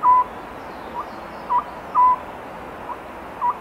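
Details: Oriental scops owl calling at night in spring, giving short, even, mid-pitched hooting notes in loose pairs, spaced about half a second to a second apart, over a steady background hiss.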